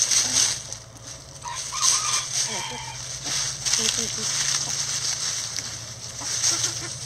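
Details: Chickens scratching a pile of leaves in a backyard coop; scattered short clucks and a drawn-out murmuring note amid heavy, bursty leaf rustling and a faint low hum.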